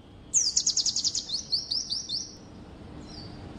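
A white-eye sings a high, rapid run of about eight sharp chirps, then a thinner trilling phrase, all very high-pitched over faint background noise.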